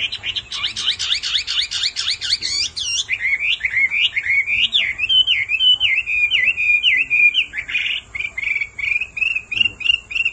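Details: Hwamei song prompted by a calling female: opens with a fast, rolling warble of rapid looping notes, then settles into a long series of bright, repeated whistled phrases, roughly two per second.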